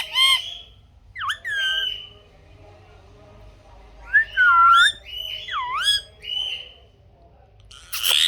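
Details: Caged parrot in a room producing scattered bursts of wavering, voice-like calls that dip and rise, some level whistled notes, and a harsh noisy squawk at the very end.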